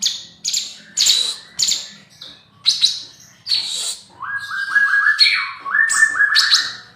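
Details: Young male spotted bulbul singing: a run of sharp, high, clipped chirps in uneven bursts, then a series of rising and falling whistled notes repeated several times, with a low background hum.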